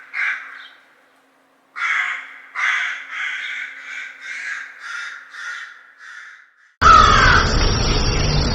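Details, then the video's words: A crow giving a harsh caw, then a run of about eight hoarse caws in quick succession, ending abruptly in a burst of loud broadband noise. "CROW SOUND - CROW SOUND EFFECTS"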